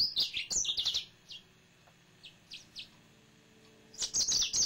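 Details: A captive male yellow-fronted canary delivers a brisk run of high twittering and slurred notes, falls to a few scattered soft chips, then breaks back into a fast, bright warble.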